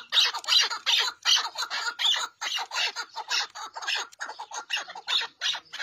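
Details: Rapid chukar partridge chatter, raspy, high-pitched chuck syllables pulsing nearly three times a second in a long unbroken sequence.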